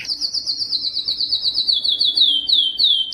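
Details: Yellow canary singing a fast rolling tour of rapidly repeated high notes, each a short downward sweep, about three per second, loud and clear with little background noise.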